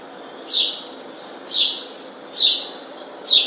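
House sparrow giving four bright, slightly falling chirps, each about a second apart, over a soft background hiss.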